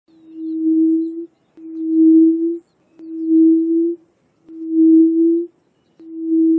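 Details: A Yellow-legged Buttonquail gives low, steady, moaning hoots, a harsh, somewhat whistle-like call, each about a second long, repeated every second and a half over a quiet background.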